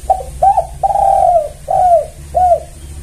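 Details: Vigorously calling spotted dove in a lure call for attracting doves, loud with stuttering notes: five full arched coos, one drawn out longer, at a steady rhythm, over a low background hum.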